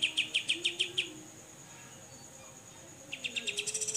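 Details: Grey-cheeked bulbul (Alophoixus bres) gives a burst of six sharp, clipped notes, pauses, then an accelerating run of harsh chips, over a thin, steady high insect whine.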